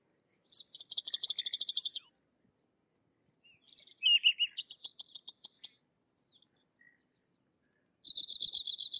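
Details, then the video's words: Sykes's lark singing: bright, high buzzy trills of rapid repeated notes, separated by short pauses, with a lower slurred phrase in the middle; quiet background. "Sykes's Lark or Twany Larks Singing"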